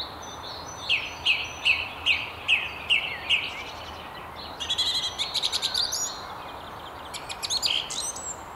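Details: Song thrush at the very top of a tree on the River Tyne near Haddington, repeating one note seven times evenly, then a fast stuttering run of repeated notes, then another short repeated burst.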